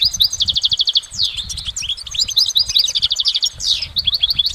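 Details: Goldfinch in nature pouring out high, tinkling song: a fast even trill of repeated notes, then jangling twitters and downward-sweeping slurs, clean with little background noise.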